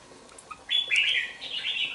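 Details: Young red-whiskered bulbul, two months old, kept in a bổi-style cage, gives a single bright warbled phrase starting after a short quiet pause. The phrase slides between mid and high pitch and runs to the end.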